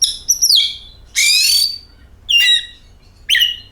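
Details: Lure recording of an oriental magpie-robin: a descending whistle, a loud harsh grating burst, then two shorter buzzy phrases about a second apart.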